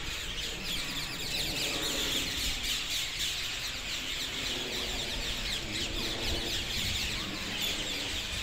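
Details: Parakeets by the dozen converging on the same trees south of Hackney Marshes, 18 February 2021; harsh, high squawks pour out in a steady overlapping din, several per second, over a background of wind.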